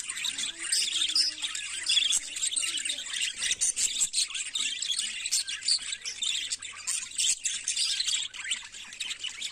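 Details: Budgerigars singing in the morning: a dense, continuous high chatter of twittering notes and scratchy warbles, steady throughout, over a faint low hum.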